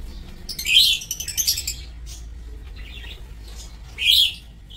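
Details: Aviary lovebirds, 27 March 2024, giving a run of piercing squeaky chirps at the start, then quieter twittering and one more loud shrill call near the end.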